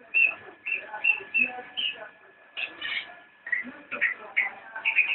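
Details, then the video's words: Straw-headed bulbul (cicak rowo) in nyinden song: rapid whistled and chirping notes strung into phrases, a pause of about a second midway, then denser chattering, over a constant low electrical hum. "Cicak rowo nyinden"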